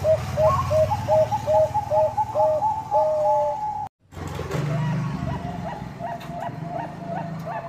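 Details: Bangkok-type zebra doves singing as a lure for rivals: two doves overlap, one with low repeated coos, another with a rapid higher series, before a brief cut, then fainter distant cooing amid low traffic-like rumble.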